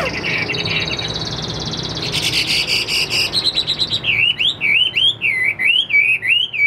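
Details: Chinese hwamei in captivity, around 85% tame and not yet fully conditioned, starts with dense buzzy trills, then delivers a chain of rhythmic, looping whistles that rise and fall about every half second.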